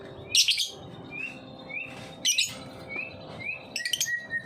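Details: Lovebird giving the ngetik song as a lure for young lovebirds: harsh high chirp bursts roughly every one and a half seconds, between short, thin rising whistles.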